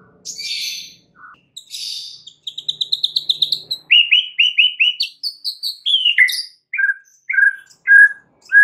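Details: Lure song of a White-rumped shama meant to get other shamas singing: harsh buzzy bursts, then a fast series of repeated clipped notes stepping down in pitch, ending in varied whistled phrases.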